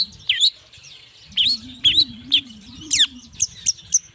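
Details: Morning song of a long-tailed shrike, meant to lure other shrikes to answer: spaced, sharp chirps and short whistled upsweeps, some very high and thin, over a faint low hum.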